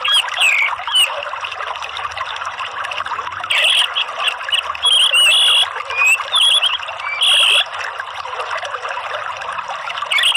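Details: Orange-headed thrush lure song (pancingan ngeplong) to prompt other birds to sing: repeated loud, clear whistled phrases, some notes wavering, with short gaps between them, over a steady rushing water-like hiss.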